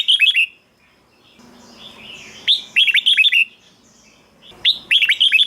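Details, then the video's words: Song of a red-whiskered bulbul used to rouse caged birds: rapid runs of four or five looping, chirpy whistles, broken by a quiet stretch of nearly two seconds with soft background murmur. "เสียงนกกรงหัวจุก สำหรับต่อ หรือ เปิดให้นกคึก เสียงเพราะๆ"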